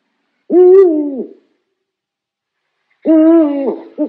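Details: Two low owl hoots about two and a half seconds apart, each steady and then falling at the end, the second followed by the start of a third.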